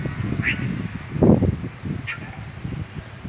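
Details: Red-rumped caciques calling in a town square where their nests hang in the trees. Two brief, bright calls stand out against a heavy low-pitched background rumble and a dull thump.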